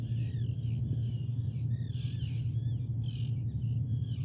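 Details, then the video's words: Common raven giving a run of harsh, hoarse calls, several overlapping, broken into short bursts across four seconds, over a loud steady low rumble throughout. "Common Raven"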